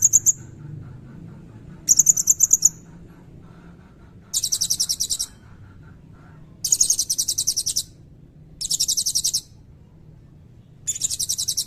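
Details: Blue-crowned hanging parrot in full song with a long cililin fill, recorded as training material for songbirds: six shrill, high-pitched rapid trill bursts, each about a second, separated by short pauses, with faint low rumble beneath.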